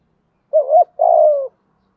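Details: Spotted dove, a lure recording used to provoke cooing; a two-part coo, a short wavering note then a longer buzzy descending note, clean with no other sounds.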